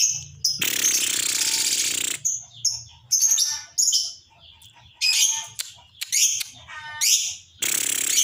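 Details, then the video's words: Lovebird in an excited state giving a long, loud, rasping chatter, then a string of short, shrill squeaky bursts and another long chatter at the end, used to provoke other birds; soft background music. "Pancingan suara love bird emosi dan ngekek panjang"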